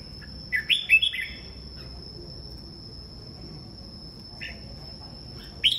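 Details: Kept red-whiskered bulbul at morning: a quick burst of three chirpy rising notes, a long pause, then a softer note and a final bright phrase, with a steady high tone throughout.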